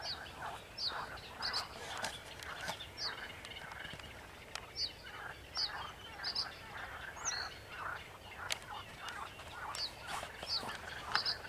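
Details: Continuous sedge warbler singing from 28 June 2021, mixed with another bird: bursts of grating, rhythmic chatter repeated about every second, punctuated by high thin chirps and occasional sharp clicks.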